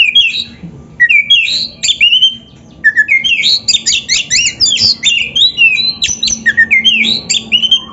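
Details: Oriental magpie-robin in full, continuous song, played as a training model for other magpie-robins: fast, varied whistles, upslurred and downslurred notes and chirps run together in a rich, unbroken medley, with a brief pause near the start.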